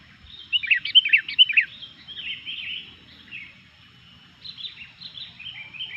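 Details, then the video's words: Busy Sooty-headed bulbul song said to stir up other bulbuls: a rapid cluster of sharp chirps, then softer, blurred warbling phrases that trail on with short gaps. "SUARA BURUNG KUTILANG GACOR INI BIKIN EMOSI BURUNG KUTILANG LAIN"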